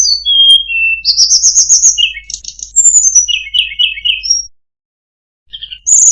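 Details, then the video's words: A tledekan gunung sings a fine, melodious phrase: clear falling whistles, a long thin high trill, then quick repeated chirping notes, a short silence and a fresh high whistle at the end. "suara burung tledekan gunung, sangat merdu cengkok bagus"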